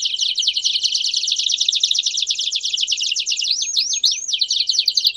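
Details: Belgian canary pouring out a dense, continuous rolling trill for several seconds, finished by three quick rising whistled slurs and a return to the fast rattle.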